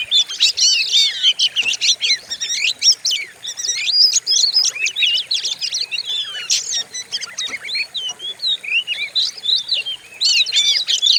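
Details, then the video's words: White-rumped shama (kacer) song used as training audio for other songbirds: a dense, rapid stream of high whistles, sharp chips and harsh scratchy notes, delivered almost without pause. "Pancingan burung Kacer; sadis dan ganas suaranya"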